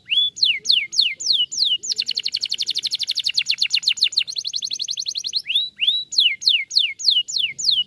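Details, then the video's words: Canary song meant to prompt other canaries to answer and sing: clear downward-sweeping whistled notes in series, then a fast dense trill of repeated chirps, and sweeping notes again at the end. "Burung Kenari Langsung NYAUTT dan IKUT BUNYI Dengar Kenari Ini"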